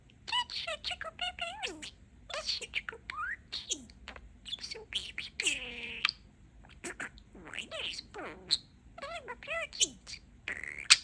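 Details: Male pet budgerigar outside his cage chattering mimicked phrases, turning a favourite phrase into "Baby Bee Bee Bird": fast warbling syllables, sliding whistles and clicks in continuous bursts.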